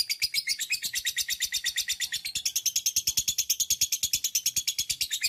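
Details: Lovebird's long 'ngekek' chatter, played to prompt other lovebirds to sing: a dense, unbroken run of shrill, scratchy notes, about seven per second, steady throughout.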